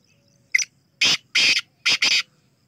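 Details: Black francolin giving its harsh call: one short sharp note, then two long grating rasps, then a rapid pair of rasps, all loud and noisy, with near silence between phrases.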